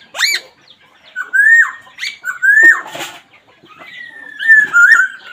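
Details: Black laughingthrush uttering a sharp upswept note, then drawn-out level whistles that bend downward at the end, a brief rustle, and a long steady whistle to close.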